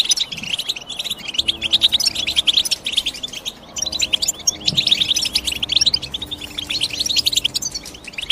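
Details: Goldfinch chirping sound, European goldfinch: busy high twittering and sharp tweets almost without pause, swelling louder near the end, with a faint low droning tone underneath.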